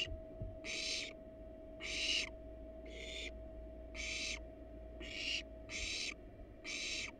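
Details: At a monitored wild barn owl nest box, parents rest on the box with nestlings within; seven harsh hissing snores at uneven intervals of about a second, accompanied by a continuous low hum.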